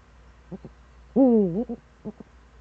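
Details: Eurasian eagle-owl in the Eifel, recorded 26 September 2013 between 07:04 and 07:23: one loud, harmonic, rough call with a dip in the middle, about half a second long, with short soft pulses before and after it.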